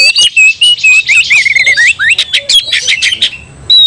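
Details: Oriental magpie-robin provoked to fight, stirring other magpie-robins. Short loud whistled notes alternate with rapid rattling chatter and piercing squeaks, in choppy bursts with brief pauses between.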